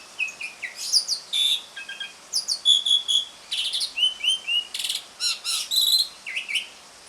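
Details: Asian pied starling in ngriwik song, meant to lure quiet starlings into singing: continuous varied chatter of whistled notes, short trills, buzzy bursts and squeaks, delivered almost without break.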